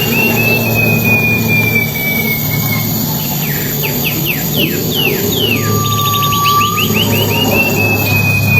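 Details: Wild silver-eared mesia used as lure audio, described as melodious and loud: a long steady whistle, then quick downward-slurred notes, a lower drawn-out whistle, and another fast run of slurred notes over a constant low hum.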